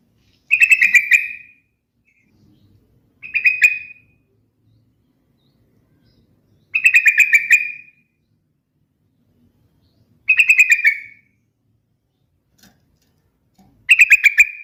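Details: Yellow-vented bulbul (trucukan) song, a melodious lure for other birds: bright bubbling phrases given about every three to four seconds, each a rapid warble ending in a downward slur.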